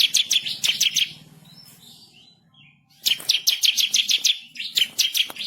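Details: Insistent, rolling song of a bar-winged prinia, given as a tutor recording. Two rapid series of high, bright trilled notes are split by a quiet gap holding a few soft squeaks.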